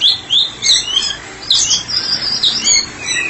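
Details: White-rumped shama, a therapy specialist bird, singing in open ngeplong style: high, varied whistled phrases with sharp sweeps and rapid twittering notes, steady bursts without pause.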